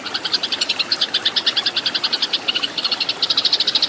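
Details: Fighting Eurasian tree sparrows as a training recording for cage birds: a fast, steady run of bright high chirps, clear and loud throughout, with brief irregular pauses.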